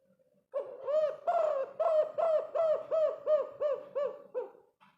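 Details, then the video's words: Spotted dove giving its five-note coo, valued as a lure to draw other doves: low, mellow hooting notes repeated in a steady series, about two each second, fading at the end in a quiet setting. "BURUNG TEKUKUR GACOR KUK 5 ISTIMEWA"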